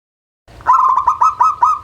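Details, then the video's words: Local zebra dove cooing as a lure to spur lazy birds into singing: a fast series of pulsed, trilling coo notes repeated several times a second, steady in pitch. "SUARA Pancingan Burung Perkutut LOKAL"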